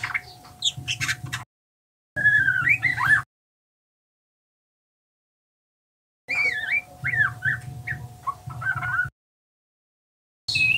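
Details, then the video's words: A juvenile male white-rumped shama still in spotted plumage, learning its song through ngeriwik twittering. Two bursts of jumbled whistled and slurred notes are separated by long silences, with a constant hum tone and low rumble beneath. "Murai trotolan belajar ngeriwik"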